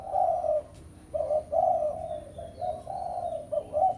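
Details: Spotted dove, a lure recording for calling a rival, with a string of hollow low coos in phrases of short and long notes, loud and clear against a quiet background.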